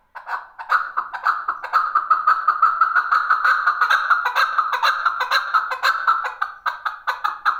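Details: Chukar partridge, male, uttering a steady stream of harsh cackling notes, repeated roughly twice per second and varying slightly in loudness.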